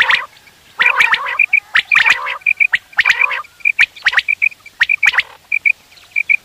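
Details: Quail heard in the morning for hunting: rasping nasal bursts followed by a long run of quick, paired whistled pips. The pips go on steadily after the harsh notes stop.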